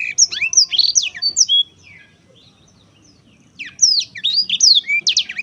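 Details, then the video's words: Black-throated canary singing two bursts of quick high whistled slurs and chirps, separated by about two seconds of near silence. "kicau merdu siBLACKTHROAT"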